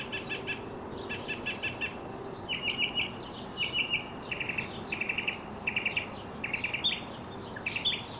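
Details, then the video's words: Mockingbird song delivered during a tumbling, leaping dance by a male; buzzy chattering phrases repeated three or four times each, then a new rasping motif repeated in turn, with a few sharp high notes near the end. "Mockingbird Song and Dance Routine"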